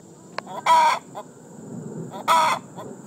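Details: Hen calling out that she has laid an egg: two loud, harsh, drawn-out squawks about one and a half seconds apart with soft clucks around them, over a low rumbling background.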